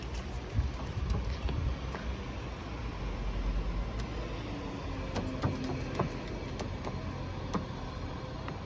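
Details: Distant road traffic rumbles steadily under scattered light clicks and taps, with no animal voices.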